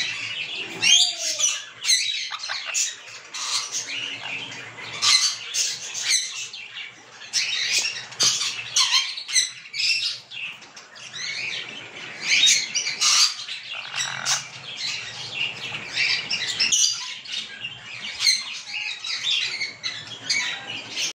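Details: Sun conure being fed mango, giving harsh, scratchy squawks and chattering bursts at irregular intervals, some loud and some softer, with brief gaps of quieter rustling between them.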